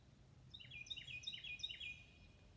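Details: Carolina wren in morning woods of Northern Virginia, Mid-Atlantic region, giving a loud, rolling series of about five quick, ringing whistled phrases, repeated at an even pace, over faint background hiss.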